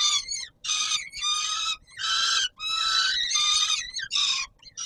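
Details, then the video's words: Peregrine falcon on the Palace of Culture and Science, Warsaw, at supper time on 17 July 2022, uttering a rapid string of coarse, shrill screeches, some clipped and some prolonged, with short breaks. "Sokół wędrowny PKiN Warszawa - Chłopaki wstawać kolacja"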